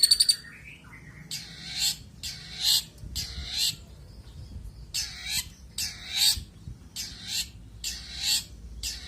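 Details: Long-tailed shrike in vigorous "isian" fill song: harsh, raspy notes repeated roughly every second, opened by a few sharp clicks.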